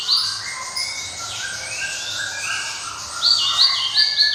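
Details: Java sparrow (glatik) singing in a voice praised as clear and ringing: a quick run of high whistled and chirping notes sliding up and down, ending in sharper, brighter notes, with a slight echo around them.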